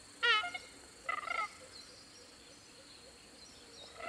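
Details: Creaky, grating squawks of Red-tailed Black Cockatoos in open woodland of the Atherton Tablelands, Queensland, Australia; one short harsh call, then a rougher broken squawk, followed by quiet insect-like hiss.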